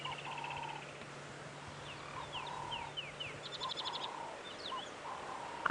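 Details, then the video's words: Ring-necked (Cape turtle) dove at sunset on Jan 17, 2017, Djuma Game Reserve, heard during a quiet bush walk: low, hoarse cooing every second or two, with high descending whistles, another bird's brief trill, and a faint engine hum. "I can hear turtle doves"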